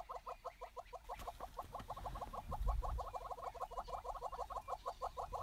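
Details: A wet courting pair of Southern yellow-billed hornbills perched on a bare branch after rain in southern Africa, producing a fast, even series of hollow clucks, roughly three each second, with a low rumble in the middle.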